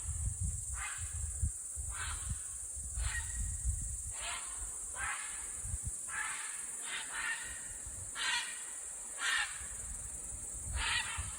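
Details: Common cranes in a group in Estonia, 22 July 2021, upset by a person leaving the house; a run of about ten short, rough trumpeting calls, loosely spaced roughly once a second, with a constant high-pitched hiss and low background rumble.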